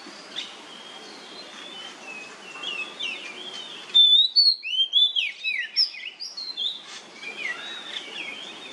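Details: Lure song of an oriental magpie-robin in nyemplong style, meant to draw out song from other magpie-robins: soft, drawn-out whistled warbling over hiss, then a loud, fast series of sharp, slurred whistles, easing into softer phrases.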